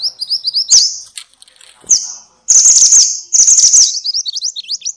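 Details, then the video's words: Noisy minivet, called mantenan or sepah, for training songbirds: quick series of rising high chirps, scattered sharp notes, two long dense buzzy chatters, and a closing run of upswept thin whistles. "kumpulan suara burung mantenan (sepah) ribut!!"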